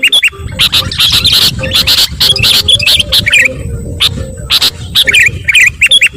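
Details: Rowdy sooty-headed bulbul calls used to agitate other birds: rapid chirping phrases and short warbled notes overlapping, broken by frequent loud snapping clicks over a steady low background hum.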